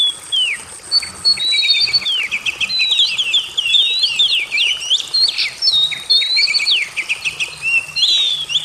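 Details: Oriental magpie-robin singing a dense, varied song of sharp whistled notes, rising and falling slurs and rapid chattering phrases, almost continuous with brief pauses, high-pitched throughout.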